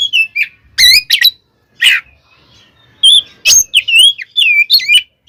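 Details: Oriental magpie-robin fighting song for provoking rival magpie-robins: slurred whistles and stacked ringing notes, a couple of harsh rasps, then a lively run of wavering whistled phrases.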